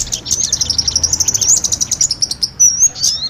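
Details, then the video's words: Kemade and sogon combined as a lure for trapping small birds: very high thin twittering, rapid chips repeated several times a second in a continuous busy stream, with brief high whistled slurs near the end. "Pikat burung kemade kombinasi Sogon"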